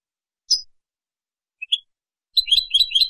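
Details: European goldfinch of Spanish type in a clean song recording for training juveniles and competitions: three separated high, sharp notes, then a rapid buzzy twittering trill at the end. Quiet background.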